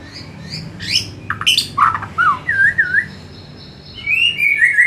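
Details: White-rumped shama singing an afternoon lure song to spur other shamas into fuller song: scattered high notes and harsh bursts, then looping melodious whistles and a rising, trilled phrase over faint background hum.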